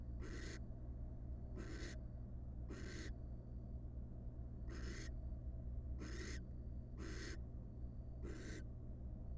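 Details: At a wild barn owl nest box on the hatching night of the first nestling, as the male delivers a large rat; short harsh hissing bursts in loose groups, with uneven pauses between them.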